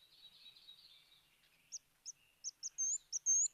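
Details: A male Ruby-crowned Kinglet sings from up high: very high, almost inaudibly fast twittering, then loud sharp notes about twice a second, rising and falling like the points of a crown.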